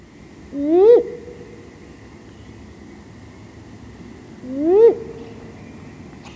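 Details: Female great grey owl giving its contact call: two drawn-out, whining rising-then-falling wails about four seconds apart, each with a harsh upward sweep, over steady low background hiss.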